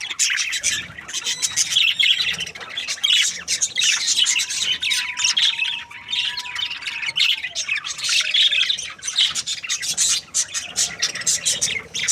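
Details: Happy breeding pair of budgerigars chirping: a dense, continuous stream of scratchy, high warbles and squeaky chirps in uneven bursts, with a faint low whistle-like tone drifting through the middle stretch.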